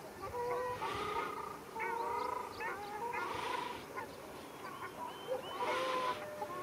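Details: Ruddy shelducks quarrelling in Arucas on Gran Canaria, February 2021: drawn-out nasal honks and shorter yelping notes layered together, punctuated by three surges of breathy noise.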